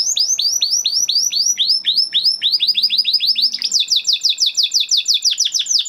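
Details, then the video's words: Spanish Timbrado canary, a huppe bird from 2020 breeding, with training song: steady series of falling chirps about four per second, shifting into quicker higher repeated notes. "Do you have a Canary with a weak singing voice? Canary Singing Video"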